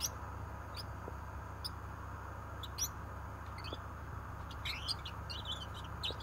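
A Gouldian finch sings soft, very high, thin chirps spaced irregularly, then a brief cluster of squeaky, buzzy notes, all over a steady low hum.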